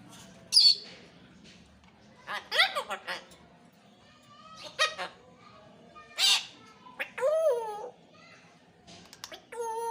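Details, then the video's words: Talking pet parrot producing a string of harsh squawks, short noisy bursts and speech-like syllables, with a few bending harmonic calls and a whistled tone near the end, spaced irregularly over ten seconds in a quiet indoor setting. "the talking Parrot"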